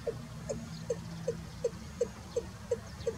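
A Watercock gives a steady series of hollow, low notes, about three per second, over a faint low rumble.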